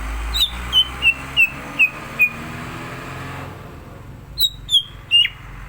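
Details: Green leafbird ready for a singing contest: a steady series of six falling whistled notes about a third of a second apart, a pause, then three louder sliding whistles against constant hiss.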